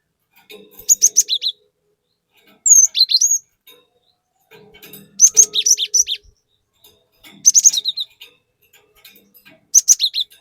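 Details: Cinereous tit in full, lively song with varied phrases, used as a lure to rouse other tits: five short bursts of high, sharp chirps and slurred whistles separated by brief silences.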